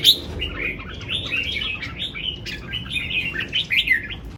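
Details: Red-whiskered bulbul in lively song: fast bubbling string of chirped and whistled notes, continuous throughout, over a faint low hum.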